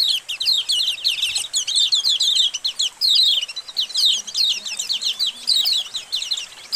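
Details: A white-eye colony, used as master audio to prompt white-eyes to sing, chatters nonstop: many high, thin, rapid chirps and twitters overlapping, with several birds calling at once and no pauses.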